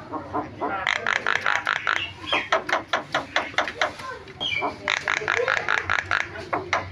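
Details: Javan myna (jalak kebo) giving varied song: a fast run of repeated sharp chattering notes, about two per second, some clucking phrases, and a low background rumble.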